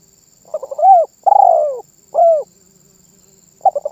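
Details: Spotted dove in full song, cooing in a way said to set other birds calling: stuttering lead-in notes rise into a falling coo, then a drawn-out rolling burr, a short coo, and a fresh stuttered phrase starting.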